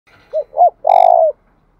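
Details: ['Spotted dove cooing to provoke rival males: two short arched coos, then one long, slightly rolling, falling note. The clip ends in silence.']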